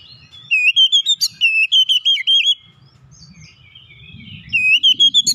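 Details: Oriental magpie-robin performing a basic tight rolling song: two bursts of loud, quick whistled notes with wavering pitch, separated by a pause filled with soft twittering and low rumble.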